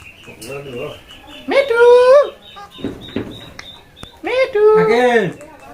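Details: A pet talking parakeet, amid its keeper's prompting with "mithu" and meowing, speaks two high, nasal, word-like phrases about three seconds apart, each rising then falling in pitch, with faint background noise and a sharp click between them.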